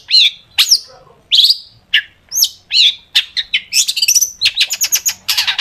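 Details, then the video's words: Long-tailed shrike singing vigorously with sharp shot-like phrases, used as a lure for other shrikes: looping whistled slurs at first, then rapid sharp chips and thin whistles quickening into a stuttering chatter. "cendet gacor FULL ISIAN TEMBAKAN TAJAM untuk PANCINGAN CENDET AGAR BUNYI"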